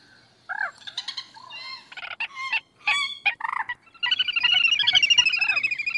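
Common moorhen giving a run of harsh, clucking notes, then a rapid bubbling chatter that rolls on for about two seconds.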